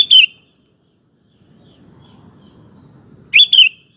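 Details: Sooty-headed bulbul recorded as a singing lure and model for male bulbuls; two bubbly, down-slurred two-note phrases about three seconds apart, over soft low rumbling.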